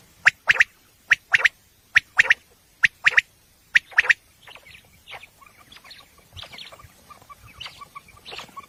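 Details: Female common quail used as a lure for night hunting, giving paired harsh rasping notes that repeat about once a second for four seconds, then fainter scattered chirps.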